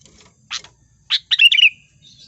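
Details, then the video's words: Trapping lure sound of a sooty-headed bulbul: two short sharp chips, then a bubbly, tumbling phrase of clear whistled notes that slides downward and fades, set against quiet background. "SUARA PIKAT BURUNG KUTILANG GACOR"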